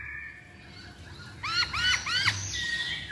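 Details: Masked laughingthrush song used as a lure to make birds sing: three quick ringing upslurred notes over a soft background hiss, followed by a fainter level whistle.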